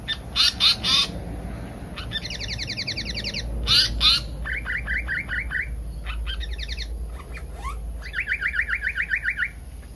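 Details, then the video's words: Pied fantail, local name seriwang or tali pocong, on a lure recording for trapping: harsh triple chacks, rapid buzzy trills and runs of short rising chirps alternate over ten seconds. "suara pikat burung seriwang/tali pocong"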